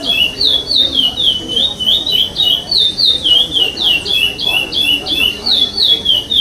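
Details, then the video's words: Chestnut-bellied seed finch of the pardo type singing at a 2021 state competition stage where it finished fifth: long unbroken series of clear, high, downslurred whistles in a regular rhythm, 'sem repetição' style. "CURIÓ PARDO SEM REPETIÇÃO"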